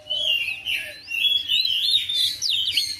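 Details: Oriental magpie-robin kept at home, singing back to another bird: a brisk sequence of rising and falling whistles and chattering notes in short linked phrases.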